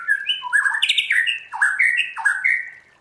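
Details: White-rumped shama song in the forest style (giọng rừng): rich whistled notes that slide and jump between low and high pitches, with sharp downward swoops in a fast, varied run.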